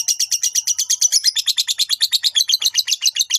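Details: Lovebird ngekek trill used to provoke rival birds: a quick series of rasping pulses, around seven per second, dropping slightly in pitch midway.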